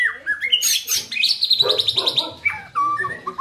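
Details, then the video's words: Tembakan and isian song of a white-rumped shama: a dense jumble of whistles, rattling buzzy notes and quick chirps, ending in short whistled phrases. "Dahsyaaatt Tembakan & Isian Murai Batu // AmAzing Bird chirping like no tommorow"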